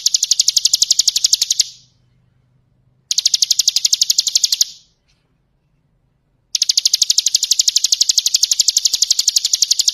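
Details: Bar-winged prinia delivering ngebren song as a tutor recording for other birds: three bouts of very rapid, piercing high chips, the last running about three and a half seconds, separated by near silence with a faint low hum.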